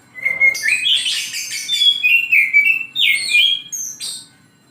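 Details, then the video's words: Morning song of an oriental magpie-robin, a continuous run of clear whistles and slurred notes, some rising, some dropping, with a few higher sharp chips near the end. "KICAU KACER DI PAGI HARI"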